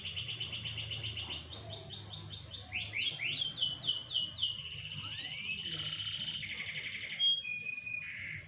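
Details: Canary singing while given a light sunbath: rapid repeated trill phrases, then a run of falling slurred notes and steady whistled tones, all high and bright, with low rumbling hum beneath.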